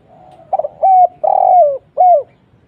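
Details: Spotted dove calling as a lure to make other doves answer; a soft faint coo leads into a loud phrase of hollow notes, with a stuttered onset, a long downward-sliding coo and a short final note.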